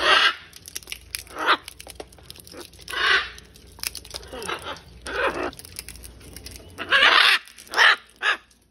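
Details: Wild macaws visiting a balcony to feed on peanuts and fruit during chick-rearing season: repeated harsh, raspy screeches in short bursts, with faint background voices.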